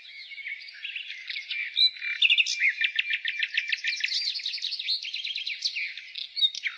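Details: In spring a nightingale pours out a long, continuous run of quick repeated chips and whistled slurs, shifting pitch from phrase to phrase, amid a constant chorus of other small birds.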